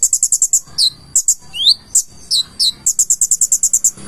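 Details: Purple-throated sunbird singing rapidly: steady trains of sharp high ticks, about six per half-second, broken by rising whistled sweeps and slurred chips.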